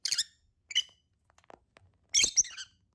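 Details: A pair of lovebirds gives three short bursts of shrill, squeaky chirping, the last burst longest and most strident, separated by near silence with a few faint soft ticks.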